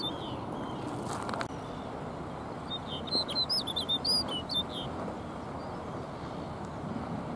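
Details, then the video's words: Singing snow bunting at Iceland's Jökulsárlón Glacier Lagoon: after a quiet start with a brief rustle, a single rapid phrase of about eight sharp, high, tinkling whistled notes lasts roughly a second and a half, then fades back into steady low hiss. "Snow Bunting Singing"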